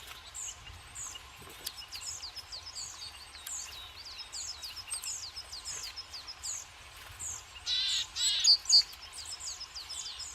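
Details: Lively tits at a forest feeder with seeds on a mild, sunny winter day; thin, high chirps repeat about four times a second, with a burst of louder, harsher chattering and sharp notes toward the end.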